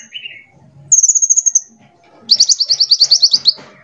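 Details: Brightly coloured sunbird voice used to coax other birds into song: a short low chirp, then a long high pulsed trill, a pause, and a second longer, slightly lower rattling trill.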